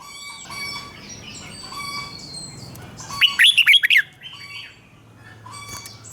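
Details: Red-whiskered bulbul kept caged, in doubled 'เบิ้ล' song played for young birds to copy: one burst of five or six rapid, ringing whistled notes, set against other birds giving regularly repeated short whistles.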